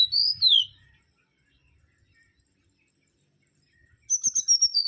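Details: Mangrove whistler (Pachycephala grisola) giving a loud whistled slur that rises then swoops down, a pause with faint background sounds, then a quick series of high piping whistles.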